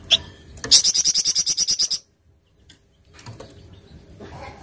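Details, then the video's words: Flamboyan giving a 'tembakan cadas' burst: a quick string of about a dozen high, sharp notes lasting over a second, then quiet with faint background noise. "TEMBAKAN CADAS FLAMBOYAN"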